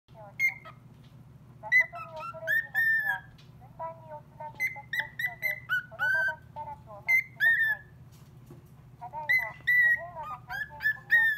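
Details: Pet cockatiel singing back at a call-centre operator's recorded voice: bursts of clear whistled notes, some rising, some falling, grouped into repeated phrases every second or two, over a steady low hum.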